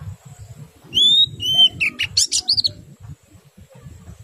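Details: Oriental white-eye singing to stimulate other white-eyes, in the ngerol and nembak styles: two clear rising whistles, then a quick burst of sharp high chirps lasting about two seconds over a low, pulsing background rumble.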